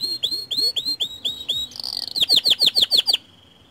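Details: White canary song used as a lure to get other canaries singing: a run of rising whistled notes, then a brief buzzy trill, then rapid sharp falling chips, about four per second.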